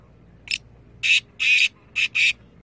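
A black francolin gives a brief introductory note, then four loud, harsh, grating notes in quick succession, with faint background hum.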